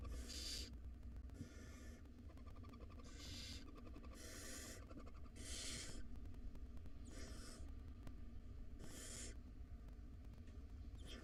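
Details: At feeding time in a nest box, wild barn owl nestlings, five in number, keep up a rapid series of overlapping hoarse hissing screeches, nearly every second, over a continuous low rumble.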